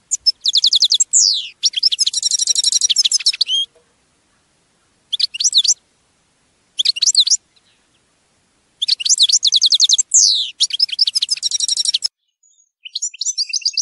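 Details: European goldfinch singing, recorded to educate captive birds: bursts of fast tinkling twitters and metallic trills separated by short silences, several phrases over about twelve seconds in a clean recording.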